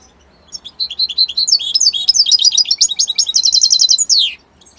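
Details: European goldfinch of Italian stock giving a strong song: a quick run of bright twittering notes, then fast rattling trills and a final loud downward slur, with faint low hum beneath.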